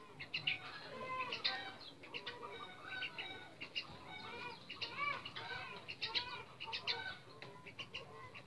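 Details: Captive junglefowl, a male and female being paired for breeding, give harsh, squawking clucks in rapid overlapping bursts, several per second, with some wing flapping mixed in.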